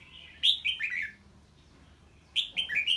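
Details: Red-whiskered bulbul singing when a strange bird appears: two bright whistled phrases, each a quick cascade of three or four falling notes, separated by about a second of quiet.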